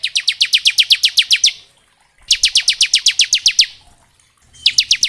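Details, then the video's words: Bar-winged prinia singing in the lively ngebren style, a varied song used to train semi-adult and young birds to sing: three bursts of about ten rapid, sharp, downward-slurred notes with short pauses between. "Suara Ciblek gacor ngebren syahdu"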